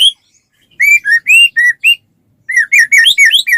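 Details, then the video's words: Song of a white-rumped shama, used as a lure so other shamas start singing: after a near-silent start, a string of clear, arched whistles, then a faster burst of rising and falling notes. "suara burung murai batu gacor sangat cocok buat pancingan murai batu agar cepat bunyi ikut gacor"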